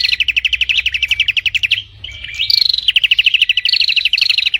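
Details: Prinia singing without pause: fast, even series of sharp high chipping notes, briefly broken by a short whistled slur, then the rapid repeated chips resume; faint low hum beneath.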